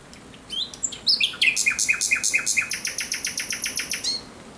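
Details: Common Nightingale song at night, 17 May 2023: a few rising whistles lead into a long, steady train of about twenty loud, evenly spaced pulsed notes.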